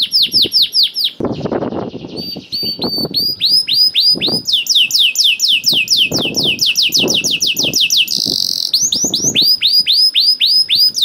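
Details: Canary singing hard and continuously to provoke reluctant canaries into song: rapid sweeping whistled notes, buzzy rattles and a long fast trill, with dull low thumps and knocks throughout.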